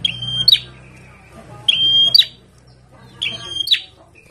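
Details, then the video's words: In the sun, a kept bar-winged prinia repeats three ringing phrases: a sustained high whistle followed by a sharp downward-slurred note, roughly every 1.6 seconds, over faint low hum. "PRENJAK GACOR DIUMBARAN"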